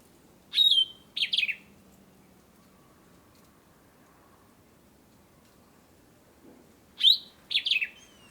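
Sombre Greenbul giving two bursts, each a sharp high whistle swooping down, then a couple of quick chattering notes, about six seconds apart, over a quiet background.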